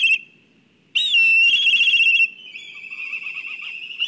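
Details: Black kite at its nest in Kurzeme, Latvia, during a disturbance, gives a high whistled call that breaks into a quavering, whinnying trill and fades to a thinner wavering whistle, over a faint low rumble.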